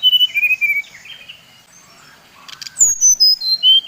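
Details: Brown-chested jungle flycatcher from Bali, its song used as a lure to provoke other birds: a burst of clear whistled notes stepping downward, a quiet pause, then another descending run of bright, high whistles.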